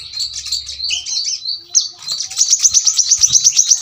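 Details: Brown-throated sunbird in a sharp rapid-fire song style: a warbling run of varied high notes at first, then a quick, even trill of piercing repeated notes in the second half.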